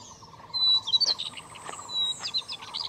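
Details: Red-breasted flycatcher at Shimen Reservoir, Taiwan, a rare passage migrant or winter visitor there: thin, high whistled notes and short sliding chips over a steady pulsed chorus of lower background calls.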